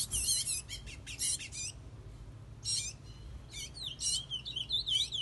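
A chestnut-bellied seed finch sings bright, rapid whistled and warbled phrases in several bursts with short pauses, over a faint low hum.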